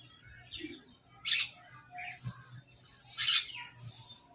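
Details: Crows squabbling over food: two loud, harsh, rasping calls about two seconds apart, with fainter chirps and a low hum in the background.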